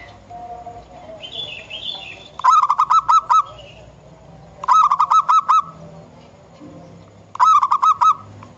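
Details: Zebra dove, a wild local bird, delivering three bursts of rapid clipped coos, each burst of about six notes, roughly every two and a half seconds; another bird chirps faintly early on amid low rumble.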